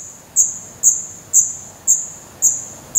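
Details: Nest of black redstart chicks in Portugal, May 2020; six bright, very high calls at an even pace of about one every half second, with a faint steady hiss between them.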